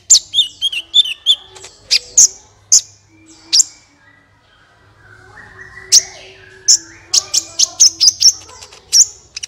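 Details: Sunbird song used to set other birds singing: rapid high chirps and twittering notes, a quieter gap mid-way, then a fast string of sharp, repeated high tweets.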